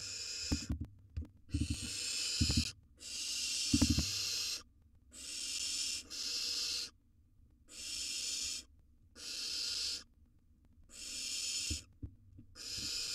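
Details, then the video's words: Nest box recording of a wild barn owl nestling tearing into a gerbil: a steady run of rasping, snore-like hisses, each about a second long, with scattered low bumps and scrapes early on. "Barn Owl Nestling Devours A Gerbil"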